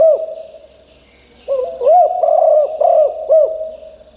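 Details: Spotted dove used as a decoy to call wild birds: after a quiet gap, loud low coos in a run of arched, rolling notes, with a steady high whine throughout.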